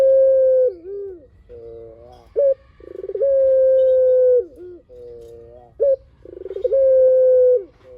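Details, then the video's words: Spotted dove in full, long-voiced song, used as a lure so other doves answer: short rising notes, long steady hollow coos dipping at the end, and buzzy lower rolling phrases, repeating over eight seconds beside a low hum. "PUTER GACOR SUARA PANJANG"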